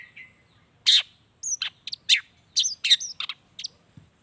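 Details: Long-tailed shrike singing with mimicked natural phrases, meant to provoke silent shrikes into song: a faint whistle, then loud harsh chirps and squeaky slurred notes in a rapid, uneven sequence.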